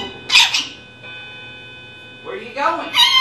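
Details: Pet female rainbow lorikeet indoors talking, mimicking human phrases such as "Come on, let's go" and "Flap your wings"; short raspy harmonic bursts of chattering speech-like sounds, with hum in the background.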